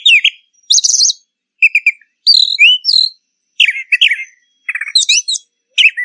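A brown thrasher sings a run of varied, rich, chirpy phrases, some repeated in quick twos or threes, with brief pauses between them and no other sounds.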